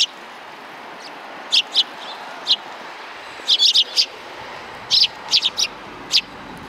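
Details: A group of sparrows on 17 January 2020 behind a civic cultural hall: irregular high chirps, some single, some in quick clusters of two to four, spread over several seconds with steady background hiss.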